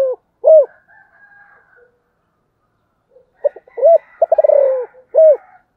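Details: Spotted dove coos: two clear hooked notes open, then after a quiet stretch comes a phrase of clipped notes, a quick purring roll, and a final coo. Faint higher background calls are present.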